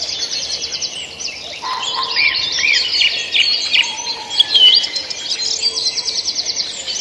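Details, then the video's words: Busy mix of bird song with repeated high trilled phrases, sharp chirps and a few lower whistled notes, several birds singing at once and continuously. "Canto de pájaros"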